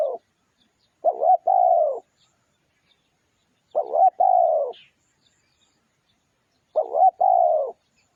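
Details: Spotted dove cooing used as a lure: three phrases about three seconds apart. Each is a quick rough two-note coo followed by a smooth sustained coo that sinks at the end, with a brief faint chirp between.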